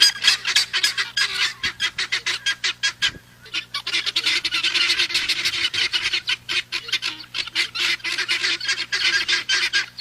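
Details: Guineafowl chattering loudly with rasping, fast-repeated harsh notes, several calls overlapping into an unbroken grating din, with a quiet low steady hum in the background.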